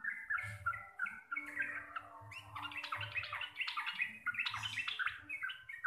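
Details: Javanese local sooty-headed bulbul chattering in 'gacor receh' fashion: a few spaced whistled notes that build into a dense, fast burst of bubbling and squawky warbles.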